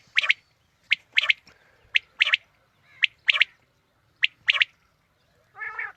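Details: Quail calling, recorded to lure quail for hunting in the morning: sharp, high clipped notes, often a single note then a quick double, repeated about once a second, closing with a lower, nasal, buzzy note.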